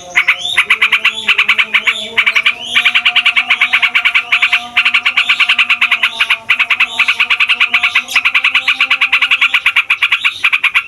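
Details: A fighter yellow-vented bulbul rolling at length, its song used to rile other songbirds: an almost unbroken stream of rapid buzzy notes, slightly varying in pace, with a quiet steady hum underneath.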